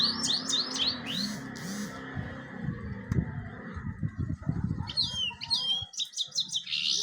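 A European goldfinch sings in bursts of bright, liquid twittering and quick high chirps over a low rumbling background.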